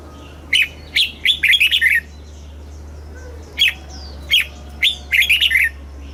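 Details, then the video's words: Caged red-whiskered bulbul song used to stimulate birds and teach chicks, southern master style from Thailand: short bursts of bright slurred whistles in rapid clusters, repeated twice with pauses between, steady low hum beneath. "เสียงนกกรงหัวจุก สำหรับต่อ หรือ เปิดให้นกคึก เสียงเพราะๆ"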